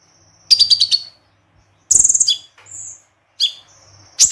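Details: Crossbred white-eye (konin) singing tembakan: a quick series of high pulsed notes, then a shrill trill ending in downslurred chips, a soft whistled note, and further sharp clipped phrases.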